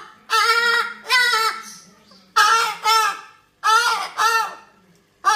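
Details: Pet cockatoo talking indoors: hoarse, harmonic word-like phrases in two-syllable bursts, three pairs of raspy, nasal utterances separated by short pauses.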